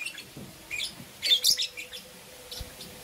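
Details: Pair of green opaline lovebirds in the morning giving bright, high chirps, a loud squeaky double note at mid-clip flanked by softer tweets and a faint low thump.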